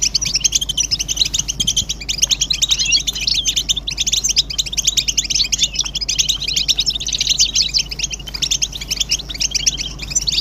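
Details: Massed European goldfinch twittering meant to stimulate silent males into song: a thick, unbroken stream of quick, bright, jingling chirps from many birds, steady in loudness throughout, with a soft low hum underneath.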